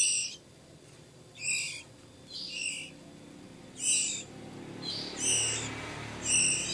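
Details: Hand-reared Oriental magpie-robin nestlings several weeks old beg during feeding with brief, rasping, high squeals spaced irregularly about a second apart, seven bursts over quiet background.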